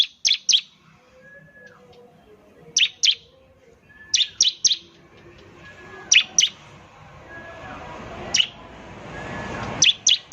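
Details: Bar-winged prinia in semi-active song, said to draw other prinias into rapid 'nembak' calling: scattered pairs and triplets of sharp, high chirps spaced a second or more apart, with a faint hiss in the background.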